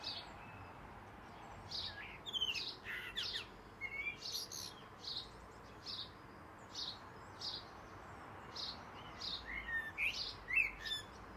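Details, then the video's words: A black-and-white blackbird that also mimics car alarms and ringing phones sings its morning song: short, bright phrases of a few lower whistled notes and many quick, high twittering chirps, repeated every second or so over soft outdoor hiss. "Black bird sings good morning"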